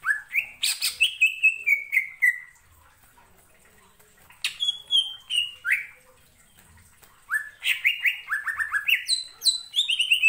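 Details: Greater green leafbird singing as a provoking lure for other birds: bursts of sweet downslurred whistles and crisp chips, a silent gap of about two seconds, then a long lively stream of varied phrases.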